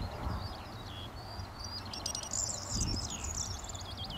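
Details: A corn bunting at Deadman's Hill in Hertfordshire, June 2013, gives a high, glassy, jangling trill of fast repeated notes lasting about two seconds. Wind rumbles below and other birds warble faintly in the distance.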